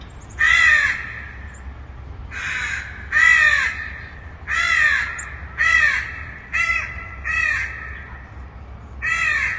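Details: Far-off crow giving seven hoarse caws in an uneven series, roughly one every second or so, each a short rasping burst against a quiet, low rumbling background.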